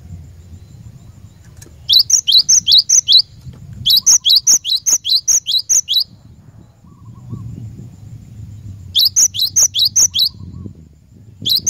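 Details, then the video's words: Glatik batu, the cinereous tit, used as a lure song to make caged birds sing: three bursts of rapid paired notes, each a rising slur followed by a high clear whistle, separated by pauses, steady low background hum. "Burung Glatik Batu Pikat Gacor"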